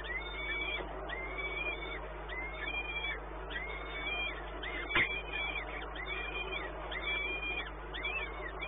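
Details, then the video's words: Peregrine falcon at Płock, 1 May 2019, near 1 pm: a long run of curved, wailing calls about once per second, one loud click midway, electrical hum throughout. "Sokół wędrowny"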